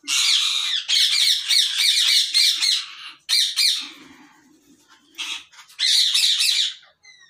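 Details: Rose-ringed parakeets in a breeding colony in Pakistan, 2022: loud, harsh, high squawks given in dense overlapping bursts, several rapid volleys separated by short pauses, with a faint low murmur in a quieter gap.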